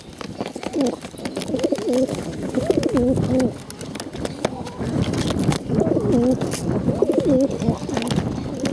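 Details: Hungry bottle-fed pigeons make wavering, quavering begging calls in two bouts separated by a quieter spell of rustling and clicks.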